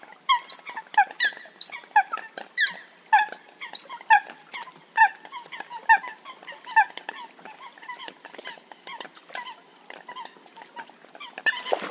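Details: Eurasian coot (Fulica atra) gives short, nasal, slightly metallic call notes about once a second, with other calls overlapping and a brief burst of noise at the end.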